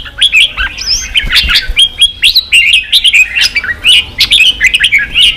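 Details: Red-whiskered bulbul song for stimulating fighting and voice training; chirpy, fast whistled notes with upward slurs and crisp clicks, continuous chatter throughout.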